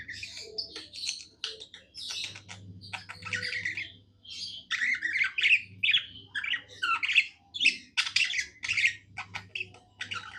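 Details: Cheerful pet budgerigar warble, a long stream of sharp chirps, clicks and scratchy squawks delivered in rapid uneven pulses, some louder notes standing out, over a soft background hum.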